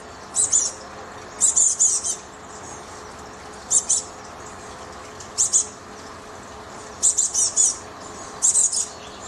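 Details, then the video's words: Chickadees calling, a series of short, high, buzzy bursts, several grouped in quick twos and threes, repeating irregularly over a faint steady background hum. "Time with chickadees"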